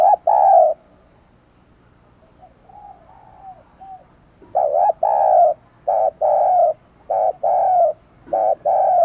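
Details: Caged decoy spotted dove cooing to call in wild doves: a mellow two-part coo, then soft faint notes, then a run of loud, low, hollow coos in paired bursts, each about half a second long.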